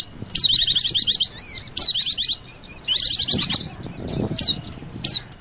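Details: Oriental white-eye lure sound mixed with sogon, used to draw in birds: long runs of fast, high, trilled chatter, then a few isolated sharp downslurred whistles.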